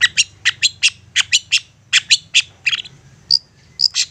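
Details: Persistent long-tailed shrike song used to provoke a reply from other shrikes: a rapid run of sharp, clicky harsh notes about five per second, ending with two thin high whistles and a few rasps.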